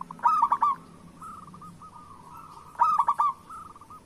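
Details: A local zebra dove gives its lure song, used to coax reluctant doves into singing. Two bright stuttered coo phrases, three to four notes each, stand nearly three seconds apart, with quieter rolling coos trailing between.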